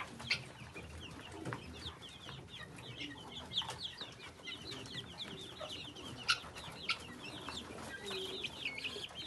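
Guineafowl give harsh, rapid, repeated chattering calls, several birds calling over one another.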